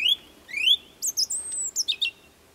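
Song thrush phrases: a clear rising whistle given twice, then a run of thin, high squeaky notes, against a quiet background.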